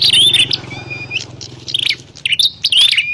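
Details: Prinia, locally prenjak klawu, recorded as a trapping lure; a loud scratchy burst with a whistled tail, then quieter broken notes and a final rising whistle, over a low steady hum.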